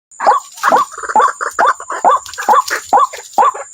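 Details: Waterhen calling: a steady series of short, mid-pitched notes with a slight upward twist, about two per second, against a faint high steady hiss.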